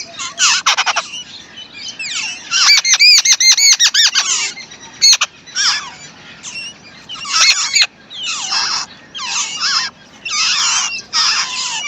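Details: Wild babbler parent feeding and protecting her chicks: loud harsh squeaky and squealing bursts, some with stacked rising whistled tones, coming in irregular clusters about every second.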